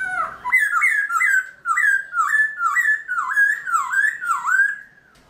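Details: Morning song of a caged black-throated laughingthrush in forest-voice style: rich, looping whistles that rise and dip, repeated about twice a second in an even rolling rhythm, then fading out.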